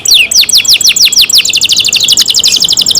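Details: Canary kept by its owners sings a quick run of high descending whistled notes, then shifts into a faster, tighter rattling trill of tiny repeated notes.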